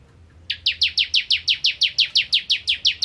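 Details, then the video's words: Ciblek kristal (bar-winged prinia) in full nembak ngentrok song: one unbroken run of about fifteen high, buzzy, downward-sweeping notes at a steady rapid pace. "Ciblek Kristal Gacor Nembak Ngentrok"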